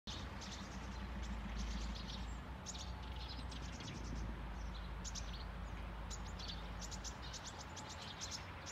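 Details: Several Eurasian tree sparrows calling from a bush on a nursing home lawn in Sundsvall, Sweden, 9 November 2021: a dense stream of short, high chirps in irregular bursts over steady low traffic rumble.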